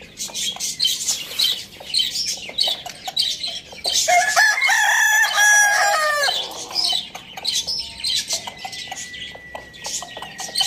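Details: Crowing rooster at Lalukhet bird market, kept with hens, chicks and budgies; a loud, strained, layered crow lasting about two seconds breaks through busy twittering budgies and scattered clucks.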